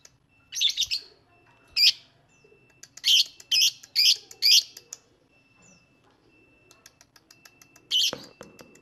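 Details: Lovebird song used to stimulate lovebirds to sing: clusters of high chirps, a group of four evenly spaced, with faint ticking between and a final loud chirp.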